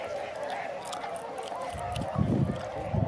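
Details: Tundra swans on the wing at Sakata, Japan, 3 November 2018: a thick, unbroken band of honking from many birds, with low wind buffeting growing stronger toward the end.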